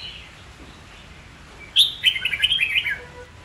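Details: Red-whiskered bulbul, white-cheeked form, used to train young birds to learn song and to spur fighting song; after a quiet start, one loud, rapid warbling phrase of slurred chirps.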